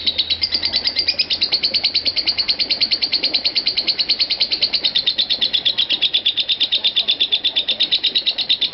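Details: Lovebird ngekek trill sustained without a break across a five-minute-plus run; bright high pulses that slide slightly in pitch, densely packed and continuous, with faint room noise beneath.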